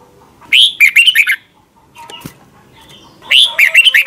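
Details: Thai red-whiskered bulbul singing in the doubled style for training caged birds. Two fast phrases of whistled notes are about three seconds apart, with a sharp click between them.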